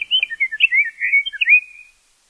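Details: A Scott's Oriole sings one rich, fluty phrase of about a dozen quick, clear whistled notes slurring up and down over two seconds, with no other sounds.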